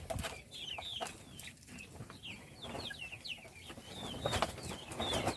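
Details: Small chickens at their meal call with rapid, thin, high chirps, short sliding notes in loose runs, over a constant hiss and frequent sharp clicks from pecking or handling.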